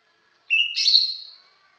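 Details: Cucak ijo, the greater green leafbird, gives a rich whistled phrase: a short lower note leaping into a bright, warbled, buzzy flourish that fades, with faint quiet background.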